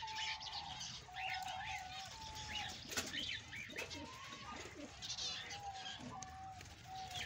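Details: Male Australian budgerigar chattering with quick rising chirps and scratchy twitters over a repeated, level, lower whistle, with faint rustling in the background.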